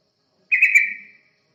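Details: Yellow-vented bulbul heard in a lure recording meant to draw in other birds: one short, bright, bubbling burst of two or three quick notes, fading out within about half a second.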